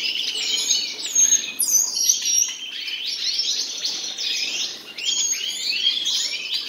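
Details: Two common nightingales singing together: bright, high chirps and upswept whistles in short bursts, sharp clicks between phrases, the twittering rising and falling in loudness in a quiet setting.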